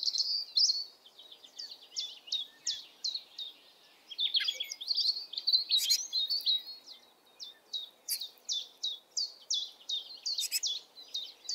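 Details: Juvenile great tit calling, typical from April through late June: rapid series of high, short downward-sliding notes repeated several times a second, with a few sharp clicks scattered among them.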